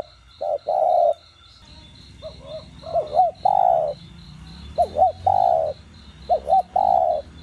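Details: Cooing of a spotted dove, played to stir captive doves into calling: phrases of two quick curved hoots followed by a long, drawn-out coo, repeated, with a faint high pulsing buzz behind.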